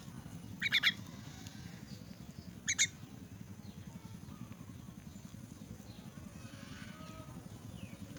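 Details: Harsh, squeaky chirps from an orphaned and crippled myna during feeding: a tight cluster of three quick notes, then a quieter pair two seconds later, before a stretch of low background hum.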